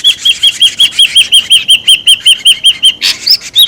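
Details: Ashy drongo, noisy calling used to lure birds: a fast, even string of clear, sharply arched whistled notes, roughly five each second, ending with a couple of louder rising whistles.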